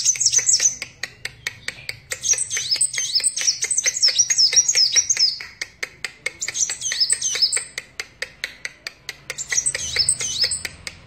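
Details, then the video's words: Energetic captive sunbird: four bursts of fast, high-pitched twittering with wavy whistled notes, each lasting one to two seconds, set against continuous rhythmic clicking and a soft low drone. "Burung Kolibri Wulung / Kaca Gacor"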